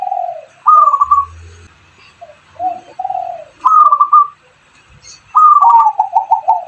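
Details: Singing zebra dove and spotted dove hybrid, kept as a lure to get lazy doves singing: short low coos, then rising drawn-out notes followed by quick repeated coo bursts, with gaps of near-silence between phrases.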